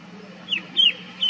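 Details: Brief red-winged shrike-babbler call from a garden in Motidhar, Mussoorie: two or three sharp high notes sliding downward, about a third of a second apart, over a low background hum.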